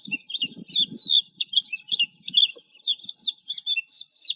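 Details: Dense, continuous lark warbling of rapid, overlapping high twitters and whistles, with low knocking or rustling sounds in the first half.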